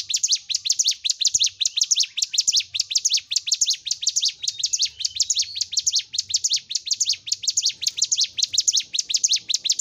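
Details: Long unbroken burst from a Bar-winged Prinia recorded as training song for caged birds: shrill, fast, evenly repeated downslurred chips forming a continuous rattling chatter across nearly ten seconds.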